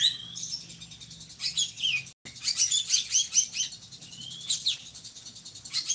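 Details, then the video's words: Drongo singing energetically, kept as a tutor bird for teaching other songbirds; dense, high, scratchy chatter with falling whistled slurs and a brief break, steady low hum behind. "SRIGUNTING GACORRR"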